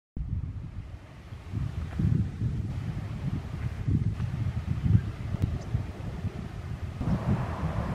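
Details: Outdoors at Peters Canyon and Upper Newport Bay, California, only gusty low wind rumbling against the microphone is heard, with no animal calls.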